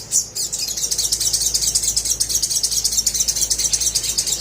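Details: Rapid, steady trill from a little spiderhunter, meant to coax reluctant birds into singing: high, even, buzzy notes pouring out about twice a second, after one sharp opening note.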